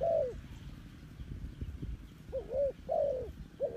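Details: Spotted dove calling clean for use as a lure in trapping: low, mellow cooing notes, one at the start, then three rising-falling coos clustered near the end, over a soft rumbling background.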